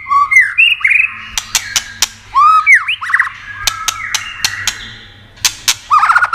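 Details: White-rumped shama singing, played to stimulate and excite other shamas; loud whistled and slurred phrases in varied pitch, broken by sharp clicking snaps, with a low steady hum beneath.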